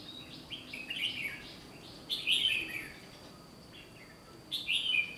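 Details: Red-whiskered bulbul being trained for song competition, trapping session of 1 July 2020; a run of quick stepped chirping notes leads into a loud warbled phrase, then a pause and another bright burst, over low hiss.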